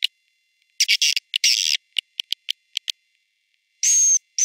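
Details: Swiftlet roosting call for a three-floor swiftlet house: short bursts of sharp, high chirps and clicks separated by silence, ending with a brief whistled note.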